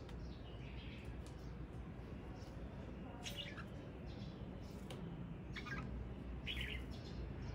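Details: Male red-whiskered bulbul singing: scattered short bright whistled phrases, a few seconds apart, over a steady low hum and background noise.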